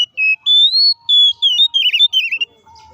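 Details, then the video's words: Kacer, the Oriental magpie-robin, singing a loud fighting song used as a lure to anger other kacer: long pure whistles stepping upward, then quick warbled, descending slurred notes. "SUARA BURUNG KACER GACOR NGEPLONG TARUNG KONSLET❗PALING AMPUH BUAT PANCINGAN KACER AGAR CEPAT EMOSI!"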